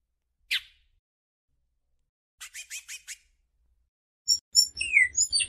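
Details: Great-billed seed finch singing a flute-type song: a single sharp note, a quick run of five dry, scratchy notes, then clear, high, flute-like whistles, with a faint low rumble under the end.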